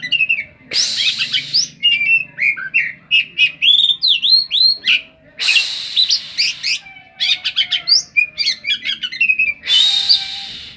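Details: Oriental magpie-robin (kacer) singing a song full of fill-in phrases said to resemble the cetdet bird: bursts of clear whistles, rising and falling slurs and rapid chirps, broken by loud harsh buzzy blasts, with short pauses between phrases.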